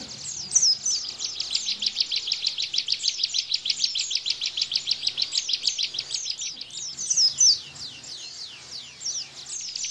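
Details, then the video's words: Bar-winged prinia singing the 'tembakan' Bren style, used as a tutor for caged white-eyes: a long, fast run of thin, high, downslurred chips, about three a second, with a few louder whistled slurs near the end. "Tembakan Ciblek Bren Untuk Masteran Pleci"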